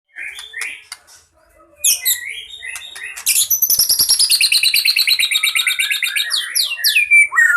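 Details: White-rumped shama in fighting mode, a full varied song used to lure birds: a few soft notes, then a rapid run of sweeping whistles and dense trills repeated about three times per second, ending in loud descending slurs.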